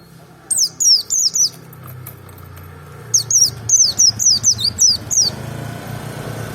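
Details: Merapi white-eye song used to provoke other white-eyes into singing: two bursts of thin, high, descending slurred notes, four then nine in quick succession, over a low background rumble.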